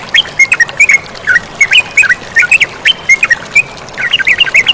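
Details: A chatty yellow-vented bulbul sings quick, looping slurred notes in an uneven stream. A denser flurry of chirps closes the passage, with flowing water hissing behind.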